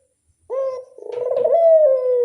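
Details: Barbary dove lure call: a short opening coo, a brief pause, then a long rolling coo that swells, rises slightly and slowly falls away.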